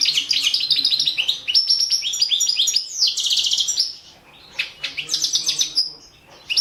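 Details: Balkan goldfinch, Carduelis carduelis balcanica, singing for the 2017 goldfinch song world championship run over the internet; fast, dense twittering of sharp chirps and rattling trills, about 220 notes a minute, pausing briefly near the end.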